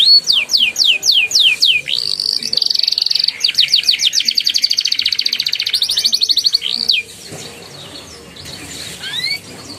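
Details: Canary song used to prompt young, silent canaries to sing: falling sweeps, a buzzy held note, then a long fast roll of repeated notes, followed by quieter sparse calls.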